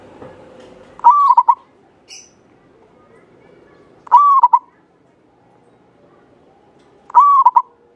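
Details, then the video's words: Local Javanese zebra dove, a lively singer with a long clear voice used as a lure to prompt other doves to sing: a mid-pitched rolling coo phrase with a short trill, repeated about every three seconds over a soft background hum. "Perkutut lokal jawa gacor buat pancingan suara panjang bening"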